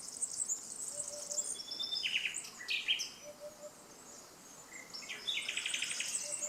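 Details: Singing nightingales by the Canal du Midi near Le Somail, Languedoc, France: high thin whistles and two bouts of fast rattling repeated notes, with a soft low note recurring in the background.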